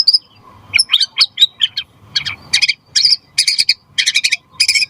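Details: White-rumped shama singing loudly to draw replies from other shamas: a series of short, harsh, buzzy high notes repeated in rapid bursts, roughly twice a second.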